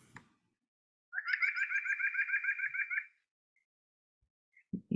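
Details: White-breasted nuthatch, played back as a recording: a fast, even series of nasal, harmonically rich notes, about fifteen in two seconds, like a rapid laughing 'ank-ank-ank', with brief knocks before and after.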